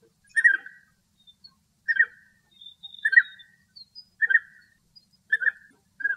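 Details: A male European bee-eater (Merops apiaster) in Greece gives short, liquid, rolling 'prruip' calls about once a second, with faint thin high notes from other birds behind.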